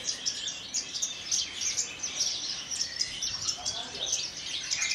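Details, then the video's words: Javan bush lark from Kulon Progo, caged, singing high sharp chip notes in quick succession over a bright twittering wash, steady and energetic throughout. "KICAU DAN GAYA "BEGAWAN", BRANJANGAN TLATAH ASLI KULON PROGO"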